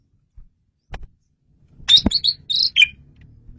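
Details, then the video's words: Asian pied starling song for luring birds, clear and loud: a short burst of high buzzy and whistled notes after a few clicks, over low background noise. "SUARA JALAK SUREN RAJANYA MP3"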